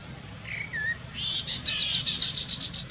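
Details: A Chestnut-capped babbler gives two short slurred whistles, a rising note, then a fast even series of about ten high, pulsed notes.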